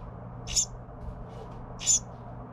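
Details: A young Carolina wren being fed by its parents gives two short, high, hissy begging bursts about a second and a half apart, over a low steady hum.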